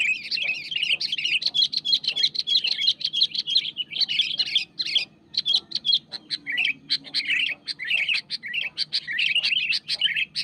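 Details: Dense, nonstop chattering song of a wild sooty-headed bulbul pressing a rival: rapid bright chirps and bubbly slurred notes pouring out for seconds, with brief pauses, faint low hum beneath.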